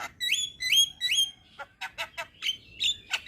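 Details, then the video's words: Three upslurred, bell-like whistles in quick succession from a young Javan myna, then gruff chattering notes and further ringing whistles. "Masteran Burung Jalak Muda - Jalak Kebo gacor Banyak Isian"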